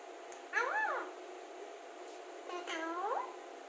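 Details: Alexandrine parakeet, a pet talking parrot, speaking: two separate harmonic, voice-like utterances, each rising then falling, spaced about two seconds apart, with a steady electrical hum in a quiet indoor room.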